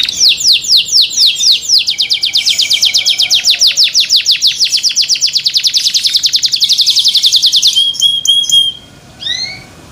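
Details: Small white young canary with an unfinished but very loud song, said to set other canaries singing. Descending whistled sweeps speed up into a long rattling trill lasting about six seconds, ending in brief twittering notes.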